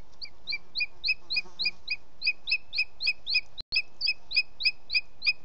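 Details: Two Booted Eagle chicks, an older female already leaving the nest onto branches and a male two days younger, playing with a pine cone in Els Ports Natural Park on 16 July 2017 at 20:11. A steady series of high, two-toned chirps runs about three per second, broken once by a sharp click.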